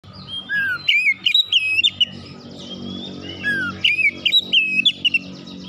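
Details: Oriental magpie-robin in full, continuous song meant to fire up other magpie-robins: rich varied whistles, slurred rising and falling notes and sharp chips in quick bursts, with a steady low background hum.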